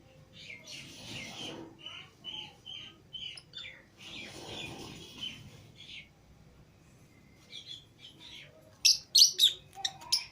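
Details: Caged pet lovebirds released together, Fischer's and lutino pairs, keep up rapid high chattering chirps over a soft rustle, ending in a burst of loud, piercing squeaks.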